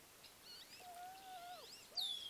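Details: Wild Wood Ducks mating: a thin, drawn-out whistle that drops at the end, then a sharp descending squeal, with faint chirps of other birds.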